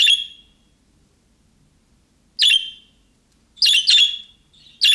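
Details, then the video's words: Budgerigar calls in the calling style of young birds, meant to trigger answers from other budgerigars: rasping squawks, first spaced widely, then a quick pair, a softer chirp and another squawk. "MUHABBET KUŞU SESİ Kuşunuz Bu sese Karşılık Verecek Kuş Sesi"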